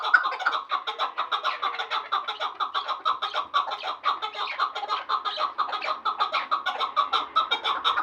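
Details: Chukar from Vanj, one of a pair: dense, overlapping chuk-chuk clucking runs steadily for eight seconds, notes crowding together as if more than one bird calls at once, hoarse and rhythmic.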